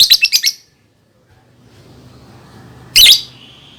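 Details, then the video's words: Lovebird chirping used as training sound for young birds: a fast run of five shrill, high chirps, then near silence with low background hum, ending with one loud, sharp squeaky chirp trailing into a thin tone. "SUARA BURUNG Love Bird COCOK BUAT PANCINGAN PAUD"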